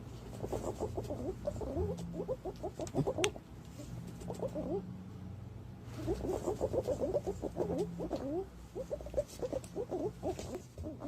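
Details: Lure recording of green pigeon calls, 2022: two long runs of rapid, quavering whistled notes, each run lasting a few seconds, separated by a quieter gap, over a steady low hum.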